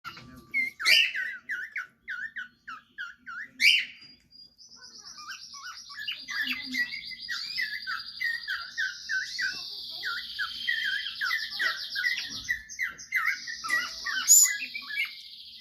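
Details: Pet cockatiel, bought as a female but now suspected by its owner to be a male, talking: quick, scratchy, speech-like chatter, then long, wavering high whistles.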